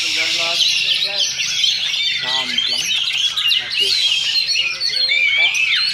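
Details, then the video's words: Oriental magpie-robin singing in a competition duel at a practice contest in Sindanglaut, Indonesia; six seconds of nonstop, varied, sweet whistles and rapid trills, with crowd cheering and other birds mixed in. "Oriental Magpie Robin Singing Contest"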